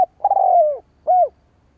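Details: Luring call of a spotted dove aimed at wild doves: a long, hollow coo slowly falling in pitch, then a short rounded coo that rises and falls, both loud and close.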